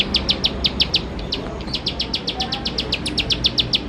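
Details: Bar-winged prinia in rapid 'nembak-nembak' song, used as a lure to get birds singing quickly: bursts of high, dry ticking notes, a short silent gap midway, then a steady run of clicks to the end.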